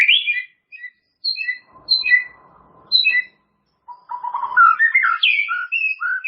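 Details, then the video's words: White-rumped shama song as a training recording for caged birds: short high whistled note pairs at intervals, then a fast, varied run of rich warbled and whistled phrases. "SUARA MASTERAN BURUNG MURAI BATU BONGKAR ISIAN"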